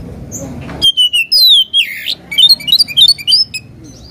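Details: Oriental magpie-robin, song aimed at provoking a rival: long falling whistles and a harsh rasp, followed by a rapid, jumpy sequence of high chirped notes.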